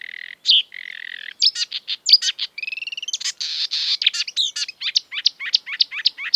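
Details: Exuberant marsh warbler (Acrocephalus palustris) mimicking song: rasping buzzes and a churring trill lead into varied whistles, then a rapid series of sharp repeated downslurred chips.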